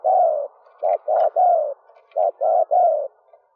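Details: Female spotted dove cooing to excite males into calling, in a stuttering style with three ending notes: low hollow coos in two runs, one long sliding note followed by short rounded notes, separated by a brief pause.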